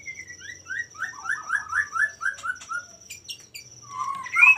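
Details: Male common iora song meant to set rivals singing: a quick series of short down-slurred whistled notes repeated about four per second, then rising whistles at the end, with a constant high insect drone behind.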